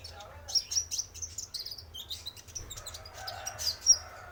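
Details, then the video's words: Lure recording of a male spotted konin sunbird: high thin tweets and twittering phrases, then a sharp squeak near the end, with softer lower warbling behind. "Pancingan Suara Burung Konin Trotol Jantan"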